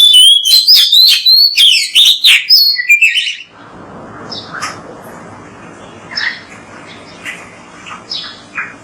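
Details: Oriental magpie-robin (kacer), a bird known for mimicking other birds, singing loud, rapid, varied whistled phrases with sharp chirps for about three seconds, then only faint distant chirps over a low background hiss.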